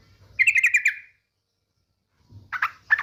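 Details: Female yellow-vented bulbul calling the male as a lure; a short harsh rattled buzz of rapid pulses, silence, then broken scratchy chatter notes.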